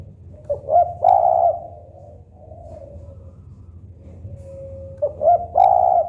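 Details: Local spotted dove song, used to get other doves singing quickly: a soft lead-in note, a drawn-out mid-pitched coo and a short arched coo, then a faint lower coo and a second phrase starting. Low background hum.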